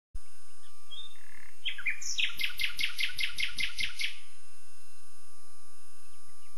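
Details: Common nightingale singing: a fast rattling phrase of sharp, repeated notes, preceded by a few short chirps, with a faint steady background hum.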